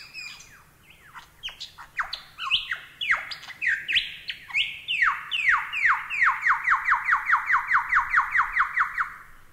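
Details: Lyrebird song for songbird-training (masteran) use: varied descending whistled notes that settle into a long fast series of repeated downslurred notes, about three per second, ending in a rapid trill.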